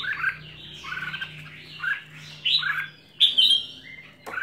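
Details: Red-whiskered bulbul kept at home, singing short warbled, bouncing phrases of rich whistled notes that rise and fall, several bursts spaced irregularly with brief pauses, over a steady low hum.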